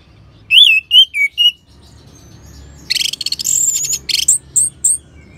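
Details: Orange-headed thrush song used to prompt singing in other birds: a few clear whistled notes, a quiet gap, then a dense burst of fast, high twittering and sharp chirps.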